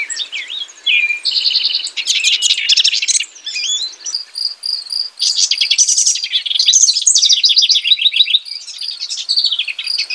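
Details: House wren pouring out a long, rich song of fast trills, bubbling warbles and buzzy rattles, almost continuous over ten seconds with brief pauses between phrases.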